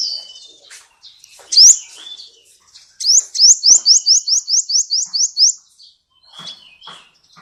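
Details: Singing 'kolibri ninja' sunbird on a clear training recording for magpie-robins and shamas: scattered high chips, then a rapid even trill of about a dozen upward-sweeping whistled notes, then quieter twitters.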